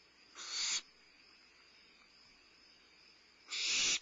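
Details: Limping barn owlet eating a midnight meal at Starr Ranch, 22 May 2011; a short harsh hissing screech, then about three seconds of quiet hum, then a second, longer and louder rasping hiss.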